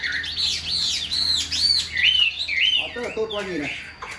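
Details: Chinese hwamei, a tame caged songbird, delivering loud looping whistles that arc up and down in quick succession, ending in a lower tumbling phrase.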